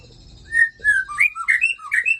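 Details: White-rumped shama from Aceh singing a clear whistled phrase: a string of short, sliding notes that rise and fall in turn, each one sweet and ringing, given in quick succession with little pause and no other sounds.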